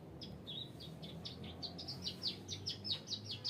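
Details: Bar-winged prinia in rice fields, a series of high, thin, sharp chipping notes repeated quickly and unevenly over steady low background noise.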